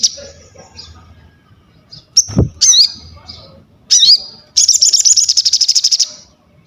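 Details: Crested jay in energetic song for use as master material: scattered soft high whistles and squeaky flicked notes, then a loud, fast, evenly pulsed rattling trill of about fifteen beats.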